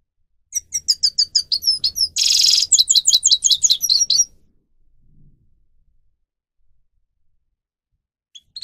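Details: Grey-crowned goldfinch (Carduelis caniceps) singing for bird training: evenly repeated sharp chirps, a harsh buzzing burst, then quick descending twitters, followed by several seconds of near silence.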